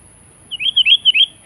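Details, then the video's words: Sooty-headed bulbul calling to challenge a rival: a clear, fluty phrase of five or six linked whistled notes rising and falling, delivered quickly after a brief silence. "Panggilan Gacor menantang menekan lawan"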